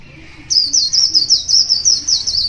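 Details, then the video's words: A one-year-old wild white-eye sings in the morning, a rapid, high, twittering warble, a continuous run of thin wavering notes lasting about two seconds, with faint background hum. "Birds Zosteropidae wild very beautiful, pure singing very good"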